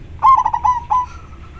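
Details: Local zebra dove, loud and clear-voiced, used as a decoy for wild doves: a crisp phrase of one long note and four quick rolled notes, then a faint trailing whistle.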